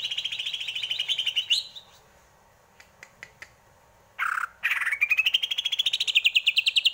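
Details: Greater green leafbird song opens with a long fast trill, falls to a few faint clicks, then a harsh burst leading into a rapid rising trill.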